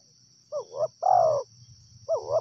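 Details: Wild spotted dove giving mellow, hoarse coos: a short wavering double note, then a longer falling coo, then the short wavering note again. There is a faint low hum underneath.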